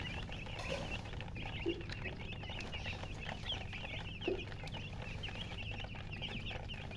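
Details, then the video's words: Freshly hatched chicks peeping loudly together in a constant overlapping chorus of short high chirps, with a couple of faint low clucks and steady background hum. "Tot Murgi chicks chirping sounds Just Born Baby Gallina FRACAS Chicks Piar Loudly Sound"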